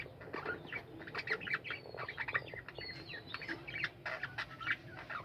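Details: Caged budgerigars in a colony, a flock chorus of quick chirps, warbles and rising whistles overlapping continuously, with soft low background noise.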